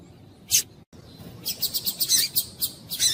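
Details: Coleiro tui-tui (yellow-bellied seedeater) answering a calling female to warm up: one isolated high note, a pause, then a fast steady series of thin, sharp chirps repeated about four times a second.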